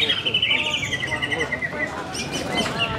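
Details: Greater green leafbird in song at a bird contest: a bright, fast trilled phrase that slides downward, followed by scattered sharp chirps, with background voices and other birds.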